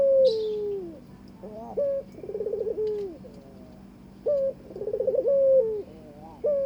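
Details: Barbary dove courting its partner, voicing repeated two-part coos: a short upward note followed by a purring, throbbing roll that sinks into a long descending glide, with a soft rustle at the start.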